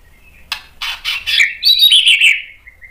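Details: Shama song meant to goad other shamas into replying: a faint whistle, then a series of harsh rasping notes leading into a buzzy, warbled phrase that trails off in a thin, level whistle.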